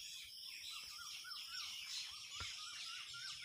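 Quail give soft, arched chirps, two or three a second, over a steady high hiss.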